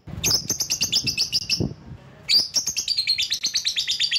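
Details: Lovebird giving rapid, shrill, high chattering chirps in two bursts with a brief pause, each note sharp and metallic; the sound is presented as a lure call for attracting rival birds.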